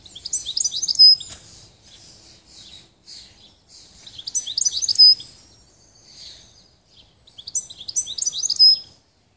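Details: European goldfinch singing in bursts of quick, tinkling, twittering high notes mixed with buzzy trills, each phrase about a second or two long, repeated roughly every four seconds with quiet gaps between.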